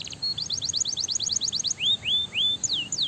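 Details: Stimulating canary song: a fast run of high repeated notes about twelve in a row, followed by slower upslurred and downslurred whistles, clear and loud throughout.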